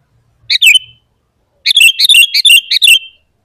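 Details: A sooty-headed bulbul sings vigorously, a recording used to lure and teach other bulbuls; a short bubbly two-note phrase, a pause, then a longer string of about seven quick, liquid chirps ending in a trailing whistle.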